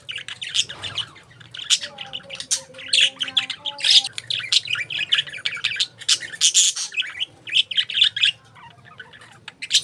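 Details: Budgerigars (parakeets) chattering almost without pause: a busy stream of sharp high chirps and harsh squawks, mixed with a few lower, steadier whistled tones.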